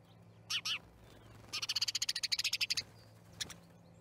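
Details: Starlings at an osprey nest in Charlo, Montana, 10/07/2019: two short harsh notes, then a rapid series of about fifteen evenly spaced rattling pulses and a final brief click, over a soft steady hum.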